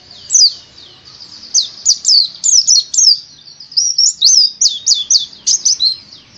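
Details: White-eye (pleci) singing high, twittering phrases of quick slurred chirps, starting sparse and building into an evenly paced run of sharp notes.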